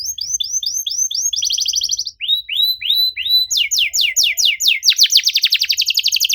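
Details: Canary in full 'cuit cuit' lure song: upslurred whistles, then a short fast trill, more rising whistles, loud downward sweeps, and a closing rapid rattle-like trill.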